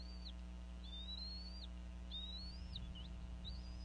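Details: Wild bald eagle family at a Northeast Florida nest, the female vocalizing over a fish as the eaglets are fed in the late afternoon; a series of four thin, high whistled notes with upturned ends, separated by short gaps, against a low electrical hum.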